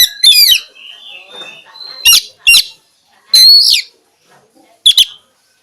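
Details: Oriental magpie-robin song: brief, loud, sweeping whistles and harsh chattering notes, spaced irregularly across a few seconds. A soft, thin, drawn-out whistle and faint twitters fill the gaps.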